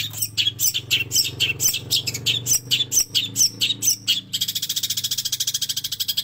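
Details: Long-tailed shrike master recording for training, song with mimicry of sparrow and prinia: dense run of sharp high chirps, then a fast even rattling trill of rapid ticks near the end, with a low steady hum beneath.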